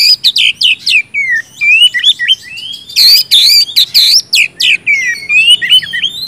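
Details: Oriental magpie-robin in loud, continuous song, kept to stimulate silent birds to sing: rapid varied whistles, sweeping slurred notes and harsh buzzy bursts, strung together without pause.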